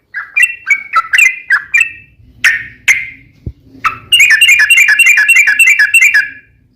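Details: Sooty-headed bulbul used as a lure to prompt other bulbuls to sing: scattered chirps and a few separate sharp notes lead into a two-second burst of rapid buzzy trilling, the ropel panjang style.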